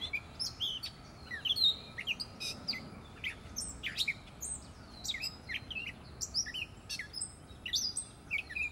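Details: From a tree in Prospect Park, Brooklyn, a gray catbird pours out a rapid, disjointed medley of high squeaks, whistled slurs and scratchy mewing notes, phrases following one another with barely a pause over soft background hum.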